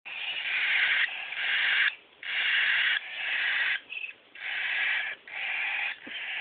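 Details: Three cockatiel chicks, aged 13, 11 and 9 days, give harsh, raspy hissing begging calls in long bursts, clamouring to be hand-fed.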